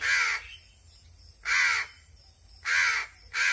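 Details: A hungry, hand-fed crow gives four loud, rough caws, each about half a second long, separated by roughly one-second silences.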